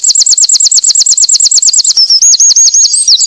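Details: Lively Winter wren song: a fast, high, regular train of curling notes breaks into a short thin whistle, then a jumbled twittering phrase. Clean with no background noise.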